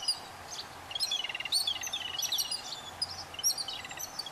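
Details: Yellow-billed babblers feeding their chicks; a tangle of harsh, nasal chattering notes with rapid squeaky stutters and high chirps, several birds calling over one another in quick bursts through the whole stretch.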